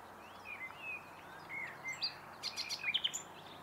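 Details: Common nightingale song, moderately distant: soft slurred whistles first, then a quickening sequence of sharp, high clicking and chattering notes toward the end, with faint low rumble underneath.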